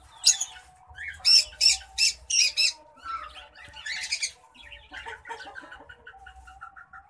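White-headed munia giving its courtship song: a run of four loud, harsh, hissing notes, then softer scratchy twitters and a quick string of short thin chirps.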